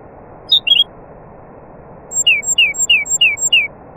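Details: Nightingale, heard among other birds, singing: a short whistled two-part phrase, a pause, then a series of five clear descending slurred notes repeated about every third of a second, over steady low background hiss.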